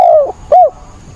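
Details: Caged decoy spotted dove cooing hard during a rainstorm on 28 October: a long, smooth, falling coo followed by a short arched note, clear against a soft background hiss.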